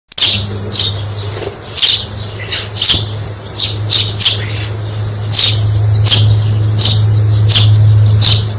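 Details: Sparrow chirps used as a lure for trapping birds: short, high, scratchy chirps repeated irregularly, about three per second at times, over a loud, steady low electrical hum.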